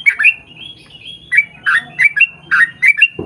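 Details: Yellow-vented bulbul singing actively, used as a lure to get birds of its kind singing. Thin high warbling first, then clusters of bubbly, chuckling notes ending in whistled flicks, with a low thump at the end.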